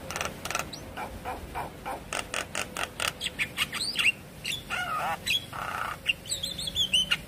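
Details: Javan myna singing, played as a lure to get another myna to sing: a busy run of harsh chattering bursts, raspy squawks and short bright whistles, with loud broadband clicks early on and a faint steady hum underneath.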